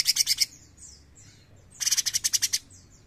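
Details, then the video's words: Bulbul, known locally as cucak cungkok, singing actively: two harsh, buzzy rattling bursts of about eight rapid pulses each, separated by a pause with faint descending whistles from other birds in the background. "CUCAK CUNGKOK GACOR NEMBAK GURIH!"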